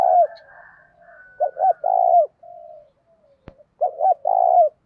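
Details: Decoy spotted dove calling to provoke fighting: low, mellow coos in two phrases, each a pair of short coos followed by a long drawn-out coo, with a faint long coo and a single sharp click between them.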